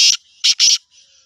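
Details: Black francolin call from Sindh, Pakistan: three loud, harsh, scratchy notes in under a second, the last two close together, followed by a faint trailing rasp.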